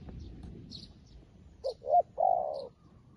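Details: Decoy spotted dove, newly acquired, calling wild doves as well as an old decoy; two quick rising notes then a long, even coo, with faint high bird chirps earlier.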